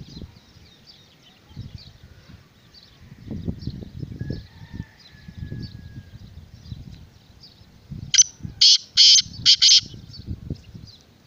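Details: Black francolin calling: a harsh, grating series of five rasping bursts near the end, following quiet rustling and low thumps.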